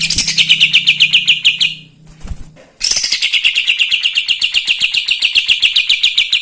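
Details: Kapas tembak in lively chattering song to agitate other birds: rapid buzzy notes, a short quiet gap with a low hum, then a long renewed run of harsh, evenly repeated chirps at about four per second.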